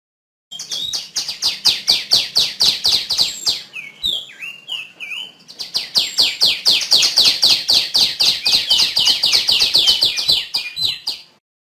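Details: Female tiểu my songbird delivers two long bursts of rapid, high descending chirps, about four per second, separated by a brief pause with a few softer varied whistles.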